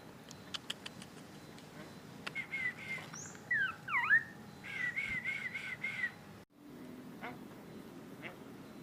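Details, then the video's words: Myna, a talking bird watched over by a cat, giving clear whistled notes: a run of short rising and falling slurred whistles, then a steady warbling phrase, followed by faint scattered chirps after a brief pause. "burung jalak bisa ngomong"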